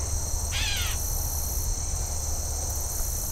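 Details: Gray catbird in dense shrub along a rail trail in Haldimand, Ontario, in late summer gives a single harsh, nasal, cat-like, downslurred mew call, a one-off, over a steady high insect drone and low rumble.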